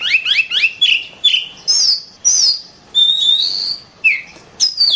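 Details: Oriental magpie-robin in song, opening with quick rising chirps, then drawn-out clear whistles and loud downward slurs, separated by brief pauses.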